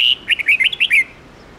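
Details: Red-whiskered bulbul morning song in the 10-12-13 note wild-adult style, used to train young birds: a long clear whistle, then a rapid run of six or seven bright, bouncing chirped notes, ending abruptly.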